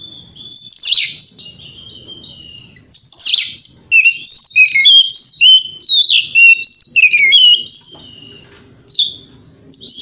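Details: Oriental magpie-robin lure song aimed at provoking rival magpie-robins: long bursts of rich, rapid whistles and buzzy notes, some phrases repeated about three times a second, broken by short quiet gaps.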